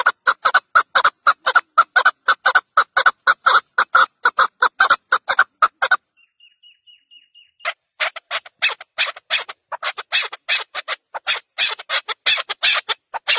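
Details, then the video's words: Chukar partridge giving a rapid series of harsh, evenly spaced clucks, about two per second for six seconds, then a short pause with a faint thin tone, after which looser, quicker clucking resumes. "Chowkor ki awaaz"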